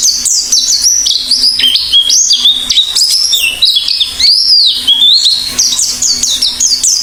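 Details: Oriental white-eye in full, active song: a continuous warbling stream of high twittering notes jumping up and down in pitch, with a brief rising-and-falling whistle midway and a low hum underneath.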